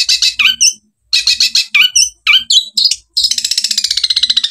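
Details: Long-tailed shrike (cendet) song used as training audio for other birds, in the 'tembakan' style with 'gereja' and 'kuntilanak' elements: short sharp notes, descending squeaky whistles in bursts, then a fast buzzy rattling chatter.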